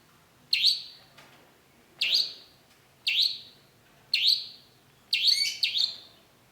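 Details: Long-tailed shrike uttering loud, sharp notes that sweep down in pitch, repeated about every one to one and a half seconds, the last one doubled.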